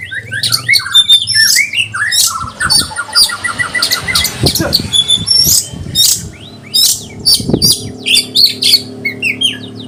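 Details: Konslet-style Oriental magpie-robin, claimed to provoke other birds: rapid chattering note trains and sharp chirps, with low thumps and a steady low hum beneath the song.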